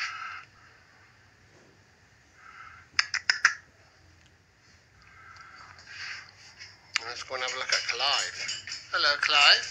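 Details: Macaws, described as blue big macaws, vocalize just after a shower: rough, harmonic-rich squawky talking phrases crowd the final three seconds, after quieter murmurs and a few sharp clicks near the middle.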